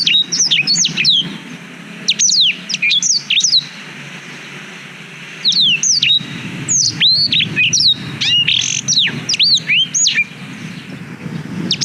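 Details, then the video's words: Song of a black-throated canary, recorded with a GoPro Hero 5 as a master track for young canaries: dense runs of high, slurred downward whistles and chirps in two long phrases divided by a gap, with faint low rumble beneath. "Suara Blackthroat Durasi Panjang Untuk Masteran Kenari"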